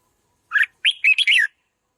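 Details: One rich, warbling red-whiskered bulbul phrase, sung to provoke decoy birds, made of three or four tumbling whistled syllables lasting about a second.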